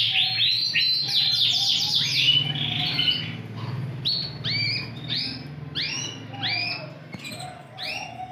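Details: TKF-ringed Yorkshire canary, big-bodied and vigorous in song, opens with a fast trill then switches to spaced, upswept whistled notes repeated roughly twice a second.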